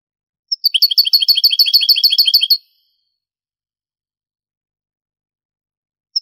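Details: Granada-style European goldfinch song from an old 1980s–90s Spanish tape: one faint note, then a fast, fairly even string of high buzzy tinkling notes lasting about two seconds, followed by a long pause and a single short note.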